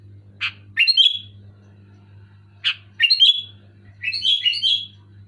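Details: Loud Sooty-headed bulbul song: a harsh chip followed by a quick gurgling, whistled flourish, repeated twice, then a longer warbling run of slurred notes, all over a faint steady hum.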